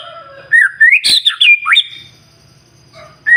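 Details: Morning song of a white-rumped shama, played to prompt other birds to sing: a quick run of upslurred whistles and a loud buzzy, harsh note cluster, then a pause and a fresh whistle.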